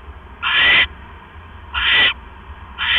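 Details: Owl in the evening of 18 October 2015, 7:24 PM, as a male brings a rat to his mate, who gulps it whole; three harsh, rasping hissed bursts, each about a third of a second, over low steady hum.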